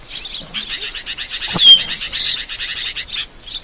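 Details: Cucak keling, the Asian glossy starling, in a training recording for cage birds: continuous quick high-pitched chattering notes with one clear downward-sliding whistle near the middle.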